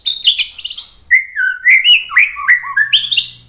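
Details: White-rumped shama song, a varied run of whistled and slurred notes sliding between mid and high pitch, loud and close, phrases tumbling in quick succession with a faint low hum underneath.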